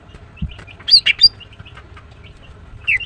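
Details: Morning chirping from a female greater green leafbird (green cucak): soft scattered high ticks around three quick, bright, strident notes, then a falling whistled chirp at the close.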